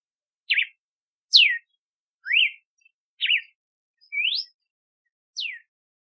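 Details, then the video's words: Red-cowled cardinal repeating crisp whistled phrases about once a second: zigzag notes, a falling slur, an up-down note and a rising sweep, with no other sounds present. "Canto do Cardeal do Nordeste / Galo de Campina / Campina | Red-cowled Cardinal"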